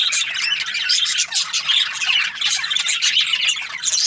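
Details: Budgerigars chirping, a dense continuous chatter of overlapping squawks and warbled chirps from several birds, steady and loud throughout.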